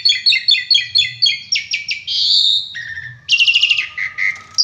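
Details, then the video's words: Asian pied starling in full, rich song: a fast series of repeated bright chirps, then buzzy trills, a sustained rough note, rapid pulsed bursts and short whistles, on a clean background. "Burung Jalak Suren Gacor isian Mewah full Tembakan"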